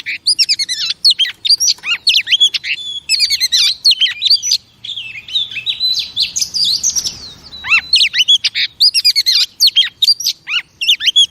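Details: Oriental magpie-robin, a female, whose song is used to stimulate male pet birds, pours out a continuous, rich stream of varied whistles, sharp upslurs and chattering notes, briefly softening midway before resuming brightly.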